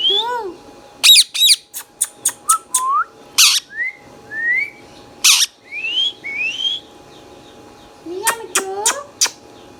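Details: Talking pet Indian ringneck parakeet, green, mixes harsh screeching squawks, clipped chatter notes and smooth rising whistles in a busy run, with layered nasal calls near the end.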